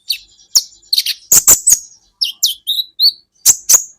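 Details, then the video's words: Tutor recording of the kolibri ninja sunbird: high sharp chips and quick slurred whistled notes, some dropping in pitch, in a lively uneven phrase. "Masteran buat KOLIBRI Ninja Bahan Agar BUNYI"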